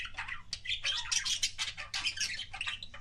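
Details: Budgie kissing sounds: short burst of loud scratchy warbling with squawky chirps and clicks packed tightly together, over a faint low hum.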